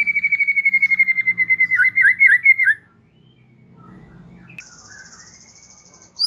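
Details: White-rumped shama chatter used to stimulate young birds: a quick buzzy trill sliding downward into a few louder warbled notes, then near silence with a faint distant high trill.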